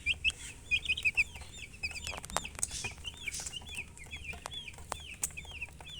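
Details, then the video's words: Baby chicks calling: a quick run of bright, high, falling peeps at first, then steadier separate chirps, with clicks, soft rustling and low background noise. "Witty MURGI Baby "Chicks Chirping" Sound"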